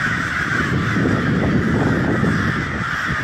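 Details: Huge crowd of crows, a loud churning mass of raspy caws layered over a heavy low rumble.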